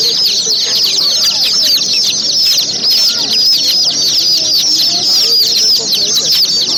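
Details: A crowd of young chickens keeps up a continuous shrill peeping, with many short descending chirps layered on top of one another.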